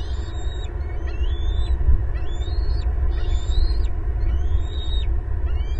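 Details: Two bald eaglets in a nest in Southwest Florida, caught on a 24/7 nest camera on April 18, 2022, fighting to protect prey. High, thin whistled squeals rise and fall about once per second over a heavy, constant low rumble.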